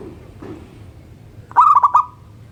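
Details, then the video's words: Morning song of a local zebra dove: after a quiet start, one rapid stuttering phrase of four cooing notes finishing in a short level hum. "Perkutut Lokal Gacor Manggung dipagi Hari bikin yang lain ikutan BUNYI"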